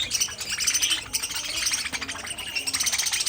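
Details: Aviary budgerigars chattering together, rapid high chirps and scratchy warbles overlapping without pause in a short burst.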